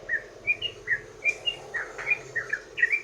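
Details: Sooty-headed bulbul (trucukan) lure song in the 'ropel' style: clear, slurred whistled notes spaced roughly three per second, some paired, over a low hum.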